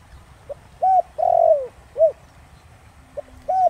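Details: Spotted dove giving the Thổ Đồng voice to draw wild doves into calling: one complete hollow four-part coo with a long down-slurred third note, followed by the start of the next phrase.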